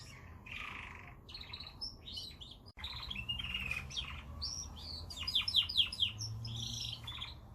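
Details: Canary song opening with a soft buzzy note, then after a click a thin whistle and a fast series of sharp, repeated high chirps rising to loud rattling trills.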